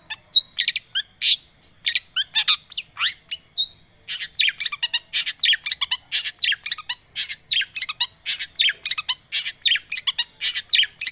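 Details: Long-tailed shrike song used as a lure to get a quiet shrike singing: continuous rapid high-pitched chattering, with harsh buzzy phrases, clicks and whistled notes packed tightly together. A brief pause comes midway.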